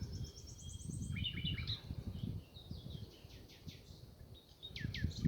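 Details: Small birds singing in the Lauragais countryside in France during a walk on hills near the Saint-Jacques route: high thin trills, sweeping whistles and repeated descending chirps over steady low rumble and footsteps.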